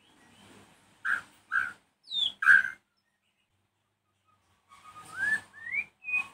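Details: Evening song of a white-rumped shama, used to goad other shamas into replying: a few loud chirps and a falling whistle, a pause, then rising slurred whistles and clipped notes.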